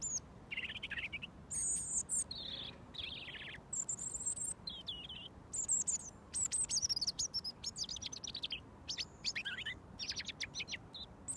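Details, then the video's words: A wild robin fed daily with mealworms sings from about a foot away while waiting to be fed: short, varied phrases of thin, high, tinkling notes, many sliding downward, with brief pauses and soft background hiss. "Robin Singing"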